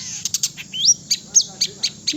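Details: In Indonesia, a Long-tailed shrike (Lanius schach), in afternoon training and in breeding condition ("birahi"), sings fast, high, scratchy chips with a quick rising whistle, about three to four notes a second, over a faint low hum.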